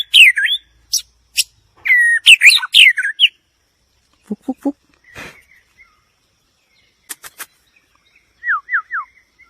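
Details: White-rumped shama giving a fast varied whistled phrase with sharp high chips, followed by quieter scattered sounds: a few low notes, brief high ticks, and three short descending whistles near the end.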